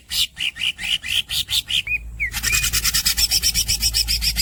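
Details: Greater green leafbird: quick rhythmic squeaky notes, two short looping whistles, then a long dense rasping roll of fast pulses.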